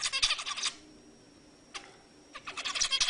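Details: Zebra finch singing to arouse females for breeding: a quick burst of buzzy, stacked nasal notes, a long quiet gap with one short note, then another rapid buzzy phrase at the end.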